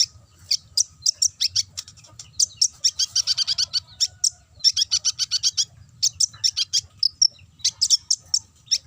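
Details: Sunbird, locally konin, chattering in the ngobra style as a lure to make other birds sing: long stream of piercing high chips and rapid trilled bursts, with a faint lower buzzy rattle beneath.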